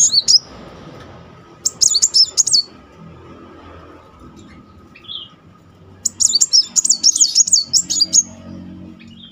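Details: Muncang sunbird singing in a continuous rolling style, offered as a lure for a bird that has stopped singing: a short high warble, then two longer bursts of fast, thin, wavering trills over a low steady hum.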